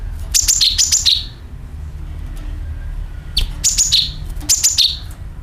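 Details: Lure call of the sooty-headed bulbul: a double phrase of sharp, high chirps that slide downward, a quiet gap of about two seconds, then two more similar descending phrases over faint low hum.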